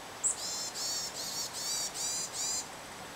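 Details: Varied tit giving one sharp high note followed by five drawn-out nasal, buzzy notes in a steady series, each lasting about a third of a second.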